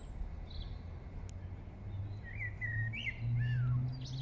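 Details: Song thrush singing in Regent's Park, London: after a quiet start, a run of short clear whistled phrases, some rising and some falling, over a steady low rumble of city noise.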